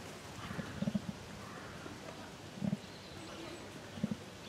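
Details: Low, soft booming thumps from a female emu at Tama Zoo in Japan, January 2023; a quick cluster of three or four drum-like beats, then isolated double beats roughly every one and a half seconds, over quiet ambient noise.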